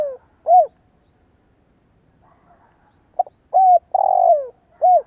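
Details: Cooing spotted dove kept as a decoy for its good voice. One arched coo is followed by a pause of over two seconds. Then come a short note, another arched coo, a long rolling croo sliding downward, and a final arched coo.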